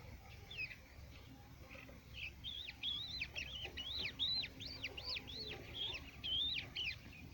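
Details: Crested lark song from Quetta: after a few soft notes, a fast run of bright slurred whistles rising and falling in quick succession, almost evenly spaced, ending in a looping phrase, with a low steady hum beneath.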